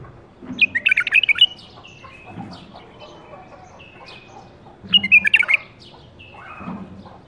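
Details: Captive-bred caged bulbul from the 2018 breeding season gives two loud, rapid warbled song phrases of bright chirping notes, each lasting under a second, separated by a quiet pause with faint low background noise.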